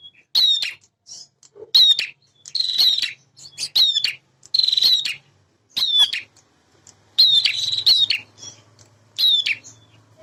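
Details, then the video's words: Male prinia sings energetically, mixing sharp descending chips with rattling buzzy trills every second or so. A low hum underlies the second half. "PRENJAK JANTAN GACOR"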